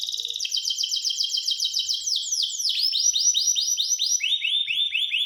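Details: Pet canary sings a quick pulsed trill, then a sequence of looping rising-falling whistles repeated about twice per second, and finishes with rapid upward slurs.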